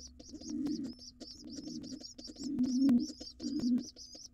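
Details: Wild pigeon nestling and its father at breakfast in a nest box: deep, throaty coo-like murmurs swell in bursts roughly every second, while high thin squeaks repeat steadily above them.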